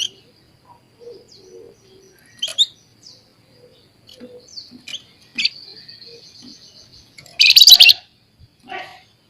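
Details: Chattering scaly-breasted munia, kept for tutoring songbirds: scattered soft chirps and ticks, then a sharp buzzy note and a sustained thin high whistle, then a loud, harsh, rapid churring burst and a few softer ticks.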